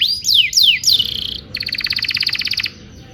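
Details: Canary song used as tutor material for young canaries. Three loud falling whistled swoops are followed by a quick, even, pulsing trill of about a second, which then stops abruptly.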